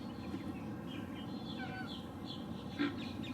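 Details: Male Green Heron perched and calling, recorded with a Lumix GH6 and 300 mm lens: one brief harsh note near the end, amid busy whistled and chirping songs of other birds.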